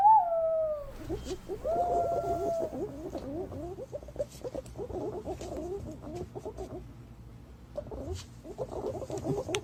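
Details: Green pigeon lure call: two drawn-out whistles open the sequence, one falling and one held steady, then a dense run of quick, twisting chattering notes with brief pauses.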